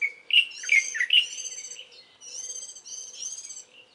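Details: Early-morning warbling white-eye song recorded in mid-April: loud sharp chirps open the clip, followed by high, ringing repeated phrases, with a faint low hum in the background.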